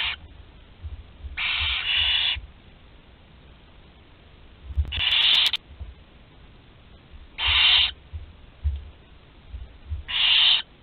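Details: At Théding, France, on 20 July 2020, a 13-day-old barn owl chick able to swallow prey whole gives short, scratchy hiss bursts every two to three seconds, with quiet gaps and soft knocking in between.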